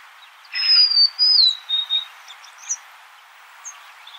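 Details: A golden-crowned sparrow gives a pure whistled phrase that wavers and steps down through two or three pitches, followed by a few faint, scattered high notes.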